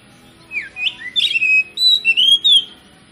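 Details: Oriental magpie-robin, called kacer, singing a lure song meant to stimulate other kacer to sing: a quick series of clear whistled slurs, some rising, some falling, interspersed with a brief harsh rasp and ending in sweet sustained whistles.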